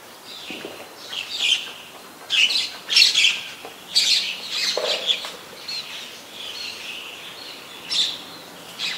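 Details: White-vented myna in Ubon Ratchathani, Thailand, recorded 21 October 2021: harsh, scratchy squawks and chattering bursts, high-pitched and grouped irregularly, loudest around three and four seconds, with short pauses between phrases.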